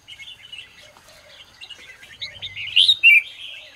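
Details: Red-whiskered bulbul morning song, used for training other bulbuls: a long stream of soft chattering notes rising to two loud, sharp whistled phrases near the end.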